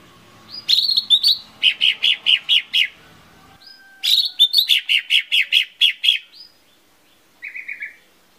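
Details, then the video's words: Lesser green leafbird song played as a lure to get birds singing: two bursts of rapid chirping, each opening with a whistled note and running into a row of sharp repeated notes, then a short softer trill near the end. "SUARA PANCINGAN CUCAK IJO MINI PALING AMPUH"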